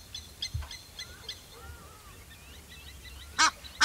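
Egyptian goose giving two loud, harsh, rasping honks near the end, after faint chirps and whistles from other birds in the background.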